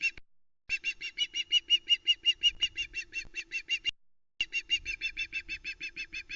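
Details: Loch Arkaig nest cam, 1 Sep 2020: female osprey calling while the male arrives with a live flatfish, giving a fast string of sharp, high piping notes, roughly three each second, broken by one brief gap, with a low hum and slight rustling.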